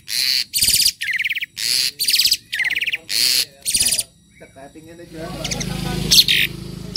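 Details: Harsh, buzzy bursts from a tame Asian pied starling, each about half a second long and repeated in a steady series, then a noisier stretch with a low background hum and one more loud burst.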